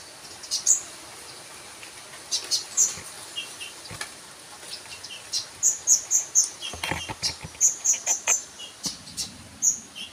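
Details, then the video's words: Sunbird with scattered high chips, then quick series of three or four thin, piercing notes in a row; soft clicks and a brief low thump are heard. "burung konin mu denger ini langsung yaut# kicau"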